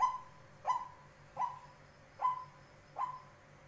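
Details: Tame decoy white-breasted waterhen giving soft, hollow, slightly falling notes, repeated roughly every 0.7 seconds against a quiet background.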